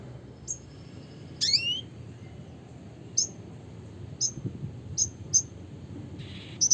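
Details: Red siskin (Spinus cucullatus) giving sparse, high, sharp chip notes a second or so apart, with one rising twittered flourish early on, over a low steady hum.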